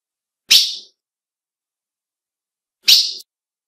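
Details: Female ultramarine grosbeak call used to excite males: two sharp, high chip notes about two and a half seconds apart, each brief and quickly fading, with silence around them.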